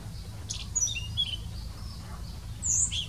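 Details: A Blue-throated flycatcher in India sings a few high, thin whistled notes, brief and spaced out, over a steady low rumble in the background.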